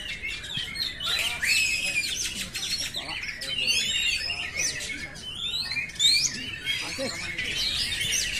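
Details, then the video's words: Simulated oriental magpie-robin song: a busy layering of bright whistles, quick downward slurs and chattering notes. Phrases overlap closely, with louder bursts near the middle and end. "simulasi suara burung kacer"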